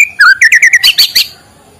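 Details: White-rumped shama singing in the morning, used to stir quiet birds into song: a short burst of clear whistled notes, first a dipping slur, then quick repeated notes rising into a bright, buzzy flourish.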